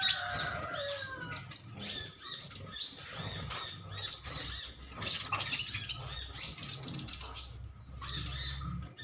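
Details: A colony of metallic green sunbirds chirping at one another: dense, high, sharp twittering chirps in overlapping bursts, some rapid runs of thin notes, over a faint low background hum.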